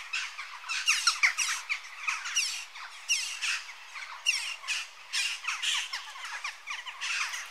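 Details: Western jackdaws calling steadily, a dense run of short, harsh, crackling squawks in bursts every second or so, with several birds seemingly overlapping.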